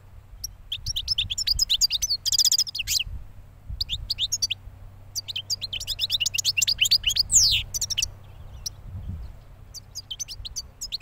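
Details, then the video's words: Recently moulted European goldfinch hatched the year before, singing phrases of rapid twitters, a buzzy rattle and tinkling chirps separated by brief silences, over a soft low hum. "JILGUERO RECIÉN MUDADO"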